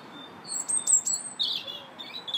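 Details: Singing robin, park, 2 March: a thin sustained whistle overlaid by high squeaky notes, then a looser, lower warbled phrase and a brief trailing twitter.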